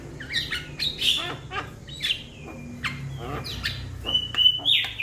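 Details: A young Javan myna calls to its flock-mates with quick squawks and clicks, drawn-out falling whistles and a final pair of bright, level whistled notes.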